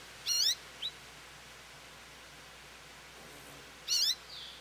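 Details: American goldfinch at a feeder calling for attention: two short, rising, whiny call notes several seconds apart, plus one brief faint chip, over a steady hiss of background noise.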